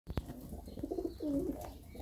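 A two-day-old racing pigeon chick gives soft, low piping notes: three quick faint peeps, then a longer drawn-out one, in a quiet room after a brief knock.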